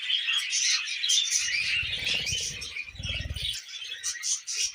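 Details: Tame pet budgerigars eating millet, a group of caged birds: dense continuous twittering and warbling chatter with scratchy high notes, plus low thumping and rustling bursts in the middle.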